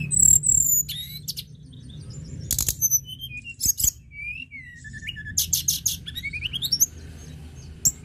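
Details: Energetic lark song, known as tledekan gunung and used to prompt birds into song: dense high chirps, buzzy clustered notes and a long rising whistled run near the end, over faint low hum.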